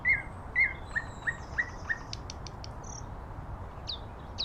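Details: Common nightingale singing in nature: a phrase of repeated whistled notes that start loud and fade, followed by sharp clicks and higher, buzzy, rising notes, over a quiet, slightly noisy background.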